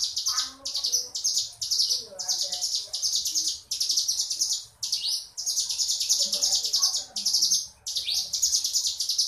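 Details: Crescent-chested warbler delivering ngebrem song: continuous chains of shrill, buzzy trilled phrases with tiny gaps, faint lower chirping mixed in.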